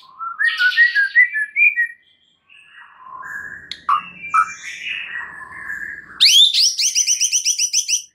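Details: White-rumped shama song played as a lure to draw out another shama's full repertoire: varied slurred whistles and mimic-like notes, then a rapid, evenly repeated high trill.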